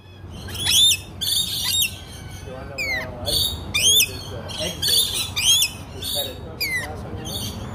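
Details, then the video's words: Lorikeets talking and eating at an ostrich and deer farm in Picacho Peak, Arizona: shrill, screechy bursts with sharp rising and falling squeals, several calls a second, over softer lower chattering notes. "Lorikeet talk"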